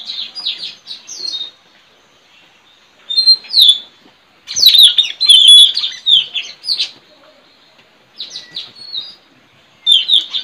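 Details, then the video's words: Forest recording of a wild white-rumped shama near a trapping perch: phrases of quick, downward-slurred whistles and twittering notes come in irregular bursts, a fuller rich run in the middle, then shorter fragments. "Suara Mp3 puling//Tajaling//tanau"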